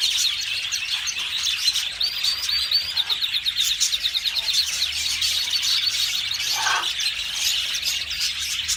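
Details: Yellow canary singing steadily, fast rolling trills and sharp chirps layered into one bright, high, continuous warble, with a short lower note near the end.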